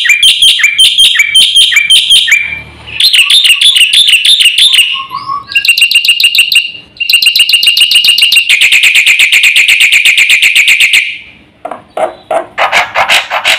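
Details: Black-winged myna in full 'gacor' song packed with 'isian' fill-ins, used to rouse other birds: fast runs of sharp, buzzy, harmonic chattering notes in bursts, short pauses between phrases, a rising whistle near the end.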